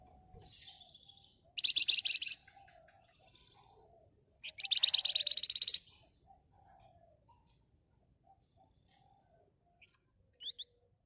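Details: Flamboyan bird singing excitedly, used to provoke other birds: two loud, dense, rapid buzzy trills of high chattering notes, each about a second long, with brief chips between and soft lower whistles beneath.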